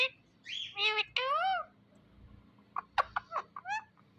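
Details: Talking Indian ringneck parakeet producing several rich, harmonic, word-like syllables in quick succession, followed after a pause by brief clipped chirps and squeaks.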